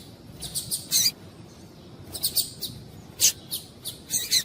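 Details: Calls of a female coleiro, the double-collared seedeater, meant to excite a male into singing: short, high, dry chips in loose bursts of two to four, with irregular gaps of about half a second to a second.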